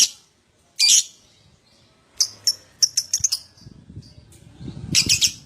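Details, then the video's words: Lovebird, recorded as a lure to prompt other lovebirds to start ngekek singing quickly; sharp, shrill high-pitched chirps in short bursts separated by pauses, with a soft low rumble in the background. "Pancingan Love Bird Agar Cepat Ngekek"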